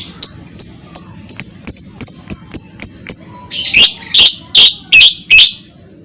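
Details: Lovebird ngekek, used to provoke other lovebirds into singing: a run of about ten sharp high chips, roughly three per second, followed by five longer harsh rasping notes.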